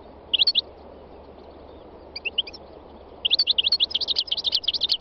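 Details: Wild European goldfinch singing: a short high twittering phrase, a pause with a few scattered notes, then a fast run of bright, liquid, tinkling trills over a steady low background hum.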